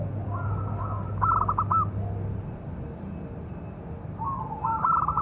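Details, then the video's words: Local Indonesian zebra dove with a big voice, calling to train and provoke other doves: two soft, pulsed cooing phrases at a moderate pitch, the second near the end, over a steady low hum. "Perkutut lokal suara besar istimewa"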